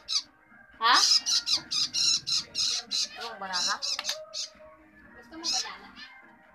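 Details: Long-tailed shrike chick calling as it is fed, a run of harsh, raspy squawks repeated several times a second, with lower tonal sounds, possibly voices, mixed in.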